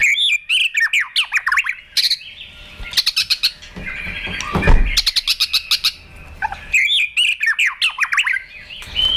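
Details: Fighting song of a provoked white-rumped shama: fast bursts of varied whistles and sharp repeated clicking notes in dense trains, with a brief low thump near the middle.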